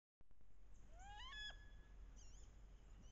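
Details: Wood duck hens calling on a bayou in late October during the mating ritual, when paired hens chase with head down and posture to entice drakes; a faint rising squealing call is followed by softer squeals over water-like background noise.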